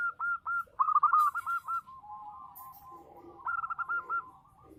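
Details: Strong-voiced local zebra dove (perkutut lokal) singing: choppy clusters of hooked coos in quick succession, a lower purring stretch in the middle, then another rapid, rolling series of notes.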